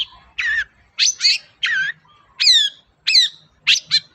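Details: Long-tailed shrike (cendet) in energetic voice, intended to provoke a quiet shrike to reply: a rapid run of harsh, grating notes with bent, arching overtones, coming several per second.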